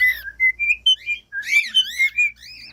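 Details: Cockatiel singing, meant to teach a cockatiel to sing: a rising series of short pure whistles climbing step by step, a brief pause, then a fast burst of arched chirps and warbled whistles.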